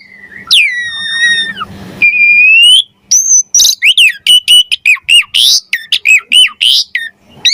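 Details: Javan pied starling singing hard with rich variations, suited for tutoring and baiting other starlings: a long falling whistle with harmonics, a clear rising whistle, then a fast run of sharp, harsh, varied notes.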